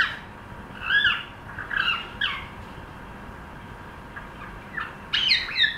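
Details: Cockatiel trying to sing: a few scattered, harsh, harmonic squawking notes with rising and falling bends, heard in short bursts near the start and again near the end, with quiet gaps between them.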